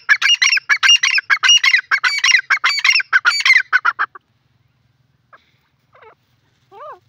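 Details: Francolin, referred to as dakhni or Sindhi teetar, giving a loud burst of harsh, repeated rasping notes about four seconds long, then a pause and a few softer separate calls.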